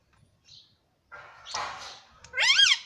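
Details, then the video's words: Ringneck parakeet kept as a pet talking: a faint whistle and a rough, breathy burst, then a clear wobbling tonal syllable that rises and falls. "Mummy Papa Bolunga Meto || Parrot Talking || Bolne wala tota"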